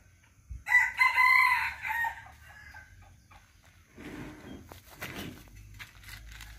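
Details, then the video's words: Serama chicken rooster crowing boldly: one loud, harmonic crow of about one and a half seconds, strong at the start and then fading, followed by quieter scuffling and rustling noises. "SERAMA CROWS || SERAMA BERKOKOK GAGAH"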